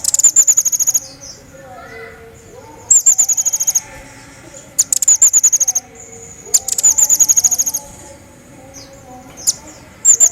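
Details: Lively pygmy bushtit recorded as tutoring material for songbirds: repeated bursts of fast, very high, buzzy chittering, about six in ten seconds, with faint lower chirps in the background.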